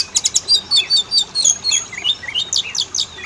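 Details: Kacer, the Oriental magpie-robin, singing a lure song for males and females: quick series of bright chirps and short slurred whistles, repeated in a steady rapid rhythm.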